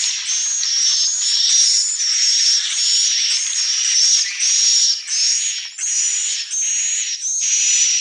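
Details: High, thin swiftlet chirps pour out in a continuous twittering mass. Pulses recur rhythmically about every 0.7 seconds, with a few short near-silent gaps between bursts.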